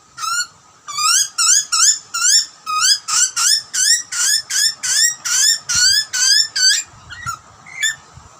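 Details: Wild Australian butcherbird chick screaming for food while being fed by its parents: loud harmonic upslurred squeals repeated rapidly, about two or three per second, in a steady insistent series that tapers off near the end.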